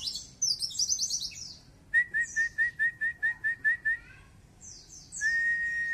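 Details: A white-eye with tail spread gives "wit wit" calls: a brisk series of about ten short, even whistled notes near two seconds in, between higher jingling twitters.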